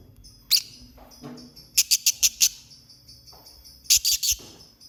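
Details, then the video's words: Lovebird chirping: sharp, high, broadband clicks and chips, first a single loud chip, then a run of five rapid chips, later another cluster of four, over a faint low background hum. "Lovebird Singing & Chirping Sounds"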